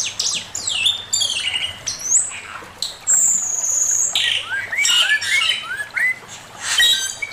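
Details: Male Chinese hwamei master song, loud and varied: harsh rich bursts, long high pure whistles, and a run of short rising slurred notes in quick succession.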